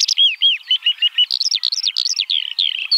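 A Eurasian Skylark sings a fast, unbroken stream of high chirps, trills and slurred whistles, tumbling and varied with no pauses.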